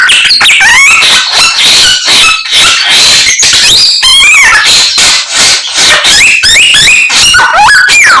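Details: Chinese hwamei singing hard, its song made of many other birds' calls; fast, uneven clusters of chirps, whistles and upward-sliding notes, roughly two to three per second.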